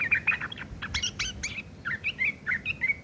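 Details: Sooty-headed bulbul in rough chattering mode, ngeriwik kasar, used to teach long-tailed shrikes: quick harsh chips, then a string of short clear whistled slurs, all delivered rapidly and close.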